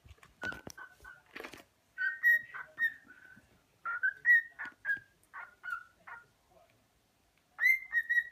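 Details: A very happy cockatiel sings a run of clear whistled notes mixed with short chirps, some rising and some falling.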